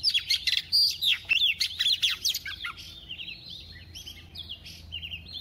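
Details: Female white-rumped shama in double-voiced song to rouse males, opening with loud rapid whistled and swept notes, then trailing off into softer, more distant whistled phrases repeated at a quick rate.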